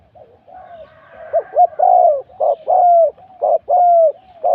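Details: Thai spotted dove at a morning luring session, faint murmuring coos building into loud paired coos, each a short note and a long bending tone, about one per second.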